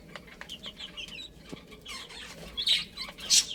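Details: Baby chickens playing, giving a quick series of thin, falling peeps at about one and a half per second, then a few louder, harsher chirps at the end.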